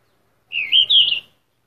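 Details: Yellow-rumped flycatcher (Ficedula zanthopygia), a migrant breeding in East Asia and wintering in Southeast Asia, giving a single high, thin, warbling call of two quick parts, rising slightly in pitch, against an otherwise quiet background.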